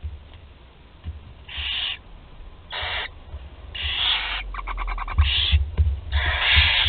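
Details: Barn owl chicks in their nest in Théding, France, 20 July 2020, one 13 days old gulping down whole prey; overlapping rough hissing screeches grow denser, with rapid clicking bursts and low scuffling bumps.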